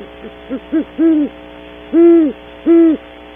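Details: Early morning at a cavity on Audubon Starr Ranch, California, a pair of great horned owls calls: short stuttering hoots building into three longer, deep, level hoots, against a quiet steady hum.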